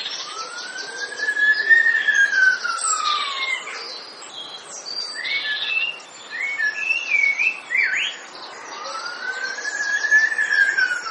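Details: A male common blackbird in a Weston-super-Mare garden, singing from about 5 a.m., mimics an ambulance siren in two tones. Its long rising-falling wails mix with quick high chirps, clicks like mobile-phone clicks and warbled phrases.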